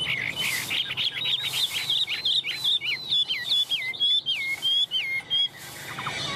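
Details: Hand-held, very tame Chinese hwamei singing a clear, loud whistled song: quick chattering notes that give way to bright, evenly spaced rising and falling whistles, ending with a short softer phrase.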